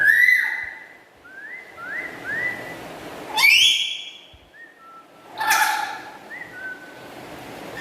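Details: Black-capped lory kept as a pet, chattering loudly: a run of repeated upward-sweeping whistles, a bright piercing shriek, more short level whistles, another harsh burst and a final few soft whistled notes.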